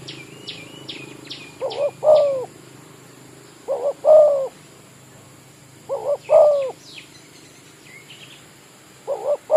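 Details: Spotted dove of village stock kept as a trapping lure in an oil-palm plantation, giving low cooing phrases of two short notes and a longer rolling coo, about every two seconds, while small birds chirp and tick in the background.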